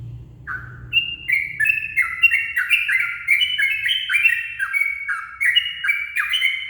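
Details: Dawn song of a yellow-vented bulbul used to lure birds: one opening note, then a continuous tumbling run of gurgling, downward-slurred notes, loud and clear over quiet surroundings.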